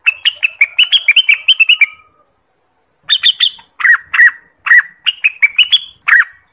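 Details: Orange-spotted bulbul (Pycnonotus bimaculatus), endemic to Indonesia, used as a lure call: two bursts of quick, bright chirping notes, the second phrase slower and more liquid with dipping whistles; no other sounds.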